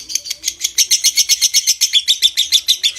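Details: Lovebird delivering a konslet ngekek for stimulating breeding condition: evenly pulsed, scratchy chatter notes at roughly four per second, loud and continuous across the short burst.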